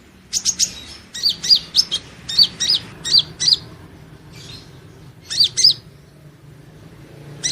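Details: Van Hasselt's sunbird (Leptocoma sperata), the Kolibri Ninja, in training audio for steady singing. A string of sharp, high, downslurred chirps comes at an even pace, then breaks off before a final pair.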